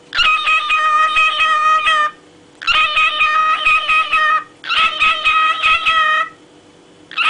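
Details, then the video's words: Pet parrot singing: three loud, rich, buzzy-harmonic phrases about two seconds long each, separated by brief pauses, with a steady tone held under each phrase. "Попугай Кеша и его песня"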